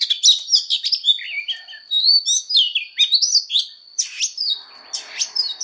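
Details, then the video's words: An Oriental magpie-robin sings its fighting song in voice training. The song is a fast jumble of sharp whistles, rising and falling glides and harsh chips, varied and nearly unbroken, with a steady high hum underneath. "Choè than hót đấu/Choè than hót luyện giọng căng lửa/Choè than hót"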